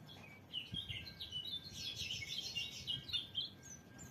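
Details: A white-eye twitters rapidly in a dense, high warbling stream, somewhat muffled by steady background noise and a faint low hum.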